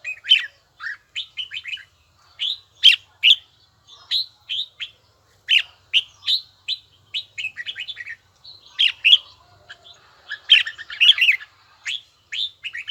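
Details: Red-whiskered bulbul practising its voice with a long, continuous run of crisp whistled notes and short warbled phrases, delivered in a fairly regular rhythm that becomes busier near the end.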